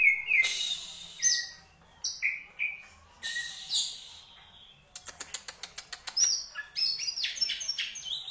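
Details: Contest Oriental magpie-robin, caged, singing rich fill-in phrases: scratchy high notes and whistles, then a fast series of sharp ticking clicks followed by jumbled high chatter.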